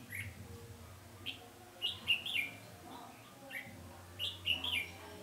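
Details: Red-whiskered bulbul heard while being trapped on 20 November 2015: brisk whistled phrases of three or four linked notes, given in bursts with short silences between, faint hum beneath.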